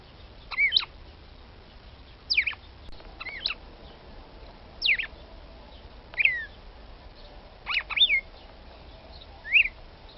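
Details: A female red-cowled cardinal (Paroaria dominicana) calling to excite a male gives sharp, high whistled chips and short slurred notes, about one every one to two seconds, over quiet background.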